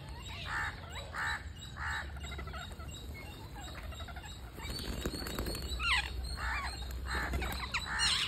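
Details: Parakeet chick being fed, giving short grating begging bursts in a run of three, then scattered squeaky chirps and rasps, with steady background hiss and a high continuous tone.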